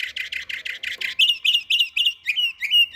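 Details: Canary in Samarkand: a fast rolling trill of broad buzzy notes, then a switch to clearer whistled syllables repeated at a steady pace, each with a slight downward twist.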